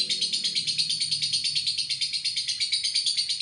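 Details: Lovebird giving a long ngekek trill: a dense, buzzy chatter of rapid notes repeated about three times a second, sustained evenly throughout with no pause.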